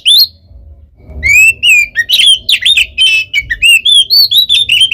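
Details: Oriental magpie-robin fighting song used as bait: a lone high whistle, a short pause, then a lively sequence of clear, sliding whistles and quick trills continuing steadily.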